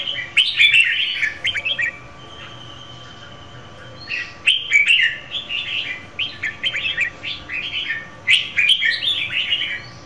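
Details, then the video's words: A female red-whiskered bulbul sings to arouse a male, with an opening burst of warbled chirps, a pause, then a long busy run of rapid bubbling, chattering phrases, plus sharp clicks. "Chào mào mái hót kích trống"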